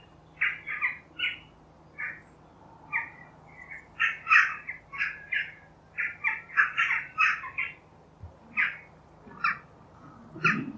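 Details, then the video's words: Jackdaw, crow-family bird (Corvus monedula), calling repeatedly: bright, abrupt chak-like notes, singly and in quick pairs or triplets, irregular rhythm, with a faint low hum and a brief soft thump. "The Jackdaw - Bird Song"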